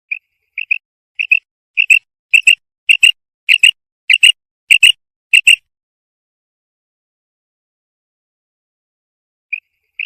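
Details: Common quail (Coturnix coturnix), female call.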